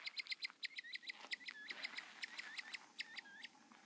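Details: Female Mexican Speckled Bobwhite, a pet, frightened of a stick in the Alabama Hills near Lone Pine, making her "evil noise": rapid, sharp high chips, several per half-second, mixed with a few short down-slurred whistles.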